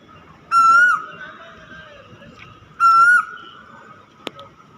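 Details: Two clear whistled cuckoo notes about two seconds apart, each sliding upward before a quick fall, with a soft click near the end and faint background hiss.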